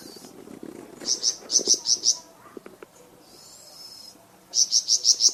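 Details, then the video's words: Varied Flamboyan bird song used to train cucak ijo and magpie robin: two short runs of five or six high, sharp repeated notes, separated by a faint hiss and soft low background sounds. "Suara variasi burung flamboyan untuk masteran cucak ijo dan murai batu"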